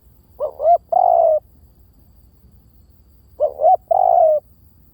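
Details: Spotted dove coo used as a decoy lure: two identical phrases about three seconds apart, each two quick rising notes then a drawn-out mellow coo, with faint background hum.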